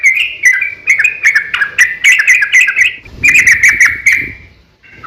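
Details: Sooty-headed bulbul fighting song, a lure so other bulbuls respond; two bursts of rapid bubbly notes, the second after a short pause, fading out before a final note.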